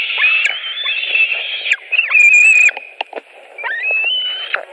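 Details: Evening food delivery at a Latvian white-tailed eagle nest, 21:05 on 5 July 2018. Sustained high whining squeals, some with rising or falling slurs, are broken by short clicks and knocks.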